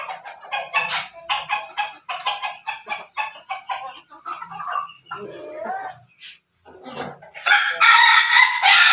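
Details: Chicken from a backyard flock of Pelung–Bangkok–Ketawa crosses: fast, evenly pulsed clucking for several seconds, a short pause, then a loud, full harmonic crow starting near the end.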